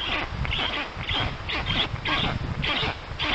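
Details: Black stork at a forest nest in Puszcza Notecka, Poland, on 13 June 2019 at 14:23, as a strange adult visits the storklets; harsh, rasping calls repeat roughly twice a second over low rumbling background noise.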